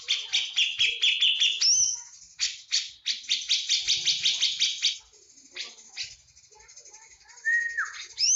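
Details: Cucak jenggot from Java, full 'tembakan' song: quick series of buzzy chattering notes, a rising whistle, more rapid chatter, then a quieter stretch and a falling whistle at the end.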